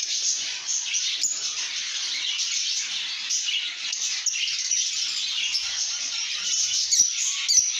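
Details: Happy lovebirds singing and chirping, a sign of good mood; steady high-pitched chattering fills the whole stretch, with a few sharper clicks and squeaks near the end.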